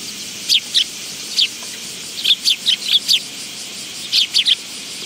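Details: High, thin chip notes from willow tits at a feeding spot on a bench at a Tenmangu shrine, 10 August 2022, given singly and in small clusters of two or three with short gaps.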